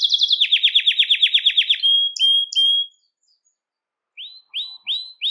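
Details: Belgian canary singing to excite males and bring females into breeding condition; quick descending sweep notes repeated rapidly, a few clipped whistles, about a second of silence, then four rising swept notes.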